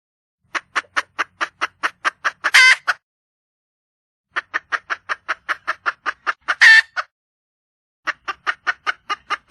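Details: Wild red junglefowl hen calling for a mate: a quick run of about ten sharp clucks ending in one louder, harsher note. The pattern repeats three times with short pauses, over a quiet background.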